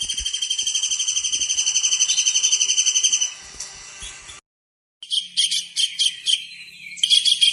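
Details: Energetic tengkek udang kingfisher, used as a training recording for songbirds: a high, fast-pulsed trill lasting about three seconds, a brief silence, then a burst of sharp, clipped high chirps in quick groups.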